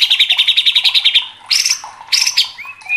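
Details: White-rumped shama (murai batu) in agitated, full 'gacor' song, used as a training and provoking recording for Indonesian songbird contests: a rapid run of about fourteen bright repeated notes, then two loud buzzy bursts and a short rising whistle.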